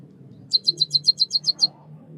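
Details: Nine quick, high, evenly spaced chirps from a White-headed munia (Lonchura maja), a small songbird of Southeast Asia, over a low background hum.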